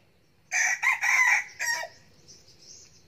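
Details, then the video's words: Crowing of a young red junglefowl cockerel used as a decoy bird, recorded in 2019: a broken, hoarse crow of several choppy syllables with a short final note, faint high insect chirping afterwards. "Gà tơ siêng gáy, gà rừng mồi 2019"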